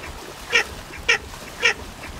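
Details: Baer's pochard giving three quick, harsh, nasal quacks roughly half a second apart, with low background noise.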